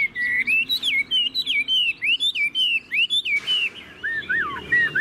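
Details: Tame caged Chinese hwamei in loud song: a continuous chain of varied whistled slurs rising and falling, about one per second. A short noisy burst comes midway, then lower looping notes.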